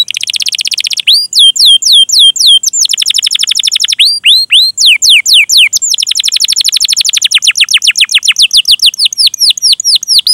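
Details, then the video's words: Continuous canary song of quick descending whistled chirps and rolling trills, a long 'gacor' cuit-cuit recording for drawing out song from young, untrained or silent canaries. "Masteran Suara Burung Kenari Gacor Panjang cuit cuit Ngerol untuk Pancingan Kenari!"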